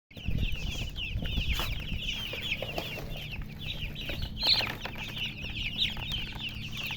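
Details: Baby chicks chirping: a dense, continuous stream of short, high peeping notes, several per second from many birds at once, over a steady low rumble and scattered clicks.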